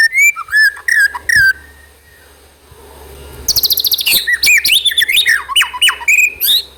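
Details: White-rumped shama singing in trotol style, used as a lure to make another bird sing: clear whistled phrases, a quiet pause, then a dense burst of rapid chattering and swooping whistles.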